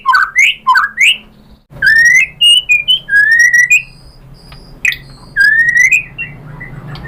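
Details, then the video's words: Shama song meant to draw other birds into singing: two rising swooping whistles, a pause, then a chain of clear whistled notes at steady pitch with a few high sharp accents. "KICAUAN MURAI BATU bikin NYAUT ikut BUNYI jadi GACOR BONGKAR MATERI ISIAN ¦ PANCINGAN MURAI"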